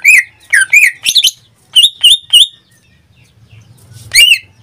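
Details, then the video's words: Pet greater green leafbird singing short clusters of loud slurred whistles, three quick groups then a pause with low hum, ending on a single bright note. "Suara cucak ijo suaranya tidak diragukan lagi"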